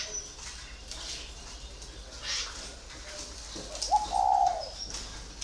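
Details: Spotted dove held in a cage for four years, a single low hollow cooing phrase swelling then fading after a quiet start with light clicks and rustles.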